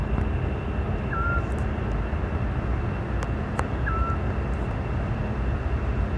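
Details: A Eurasian scops owl singing at nightfall in May in Parque Lineal del Manzanares gives two short, soft whistled notes about two and a half seconds apart, partly masked by a steady loud engine-like rumble.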